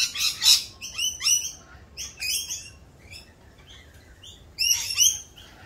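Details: Rainbow lorikeets doing a mating dance in mating season produce a loud burst of grating screeches, a run of choppy shrill notes, a lull, and another harsh outburst.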